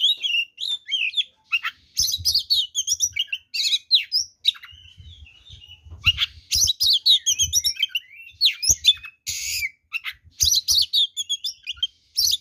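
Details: Fighting-style oriental magpie-robin song packed with varied phrases, used to goad other males into aggression; dense bursts of harsh buzzy chatter alternate with clear whistled notes and quick trills, with brief pauses and soft low knocking sounds.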